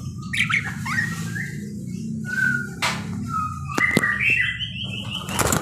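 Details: Parakeet in active song: thin whistled notes, some level and some gliding, mixed with sharp clicks and squeaks, against a faint low rumble.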